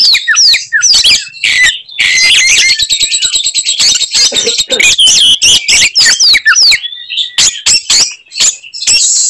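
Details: Fighting-mode song of an Oriental magpie-robin with its characteristic 'tembakan' phrases; fast sweeping whistles, then a long dense buzzy chatter in the middle, ending with spaced sharp chips.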